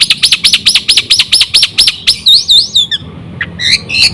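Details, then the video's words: Black-winged myna in full song, meant to provoke other mynas into singing: quick arched whistled notes repeated evenly, then upslurred squeaky whistles and scattered sharp chips. "suara burung jalak putih full isi sekali pancing semua jalak kaget gacor"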